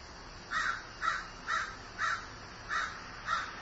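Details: Six rough, evenly spaced caws from a grieving crow, roughly two per second, over quiet outdoor background.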